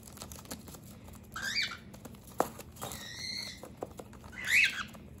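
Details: Indoor pet cockatiel guarding its base against a human intruder, making scattered short, raspy squawks and a hoarse drawn-out hiss between soft taps, scuffles and wing rustles.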